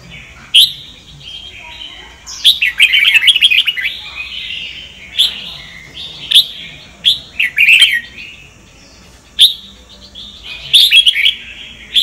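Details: Red-whiskered bulbul singing Sông Kon style song for voice training: crisp single chirps spaced a few seconds apart, broken by longer, rich bursts of rapid trilled whistling.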